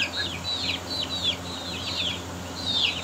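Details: Young Aseel chickens fighting. They give shrill downward-sliding cheeps in bursts of two or three, with short gaps between bursts, over a faint constant low hum.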